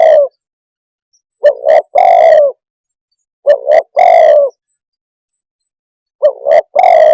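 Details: Spotted dove calling, coos in short phrases: a brief note, then a longer mellow coo that slides slightly downward, phrases repeated roughly every two seconds with clear pauses between.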